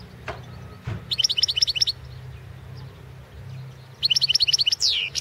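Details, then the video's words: European goldfinch of the Balkan form singing in the 2016 World Championship in Goldfinch Song competition: two bursts of fast, high, tinkling repeated notes about a second long, ending in a rising slurred whistle, with low background hum. "Pesma štiglića 006/ 2016 Aleksaandar Nešić World championship in Goldfinch Song 2016"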